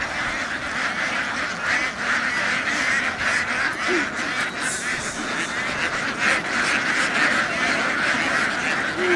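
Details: A flock of laying ducks in Vietnam running across a field and down onto a boat; dense overlapping nasal quacks in rapid irregular bursts form a constant chattering chorus, with background rumble.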